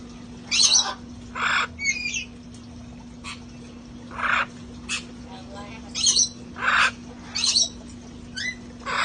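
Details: Parrots from a sanctuary flock enjoying themselves outdoors before it turned cold: short harsh squawks every second or so, some with chattering, speech-like syllables, against a constant low electrical hum.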